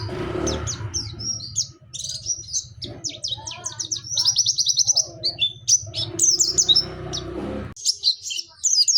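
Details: Nembak singing by a Pacitan Dakun white-eye, with mantenan and zipper witwit phrases: rapid high chips and a buzzy rattling trill over constant low rumbling noise, with an abrupt break near the end.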